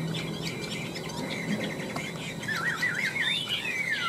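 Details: Chinese hwamei in competitive song, one of a tame caged pair kept three years: soft background chirps give way to a looping, zigzag warble and a falling slurred whistle, over a steady low hum.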